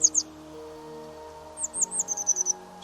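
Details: Grey wagtail; song; territorial song, loud enough to carry over stream noise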